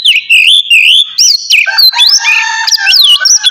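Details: Oriental magpie-robin in loud morning 'ngeplong' song meant to excite other birds: sweet sliding whistled notes, a sharp rising flourish, then layered warbling phrases.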